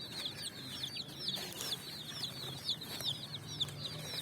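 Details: Brightly coloured chicks hopping on sand in evening sun, hunting for food: quick, high, downward-slurred cheeps from many birds over a soft low hum.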